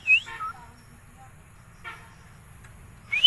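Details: Bangladeshi talking common myna: a loud upslurred whistle and a tumbling descending note, a soft rasp midway, then another bright rising whistle at the end.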